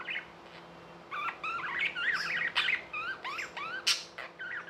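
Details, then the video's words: Budgies kept as pets give a series of clear rising whistled chirps, several in quick succession, mixed with squawky warbling notes, after a quiet start. "Budgies | Talking | Singing | Chirping sounds"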